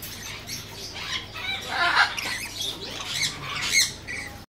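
Red-collared lorikeet giving harsh, screechy squawks and chattering bursts at an uneven pace, loudest around the middle and near the end.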